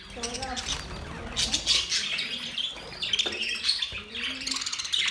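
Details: Singing budgerigars giving mating sounds: uneven high warbling and chirping with sharp squawks, dipping and returning several times, some chatter softer and more distant.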